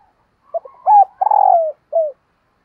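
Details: Spotted dove used as a decoy, cooing in the morning to attract wild doves. A single low phrase of a brief note, a flat hoot, a long tremulous coo trailing downward and a short sliding last note, in a quiet setting.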